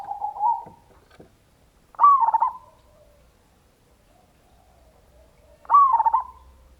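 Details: Local zebra dove in a lure recording to prompt other doves to call: a purring coo, then two loud fluttering, bubbling trills several seconds apart, with faint rustles.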